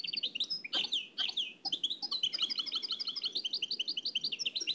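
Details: Nightingale in the Oued El Alleug song style, taken from an old cassette: sliding whistled notes open the phrase, followed by a long, fast, bubbling sequence of varied high chirps.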